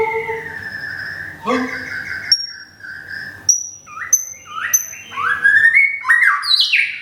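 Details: White-rumped shama from Thung Song, Thailand, kept caged and regrowing feathers after a moult. Long steady whistles and thin, high pure notes lead into quick, rising slurred phrases.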